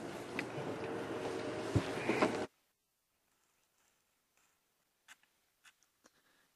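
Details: A burst of broadband room noise for two seconds gives way to near silence with a few soft clicks and scrapes.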